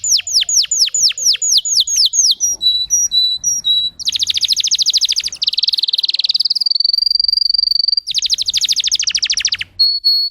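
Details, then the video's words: Singer canary in a long varied song: repeated downward-swept whistles, a few sharp notes, then fast buzzing rolls, a sustained high churr and another rapid trill before a short whistle. "My canary singing"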